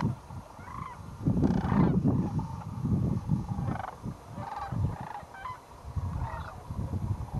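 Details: Wintering sandhill cranes at Whitewater Draw, southern Arizona, 2010, flying back to their roost after a day feeding in fields; scattered bursts of rattling, trumpeting calls separated by short gaps, with low wind noise underneath.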